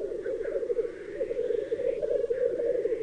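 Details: Male black grouse bubbling at a spring lek in Highland Perthshire, April 2018, where males fight for the right to mate: a steady, low, dove-like cooing chorus that rolls on without a break, with a faint hiss of higher notes above.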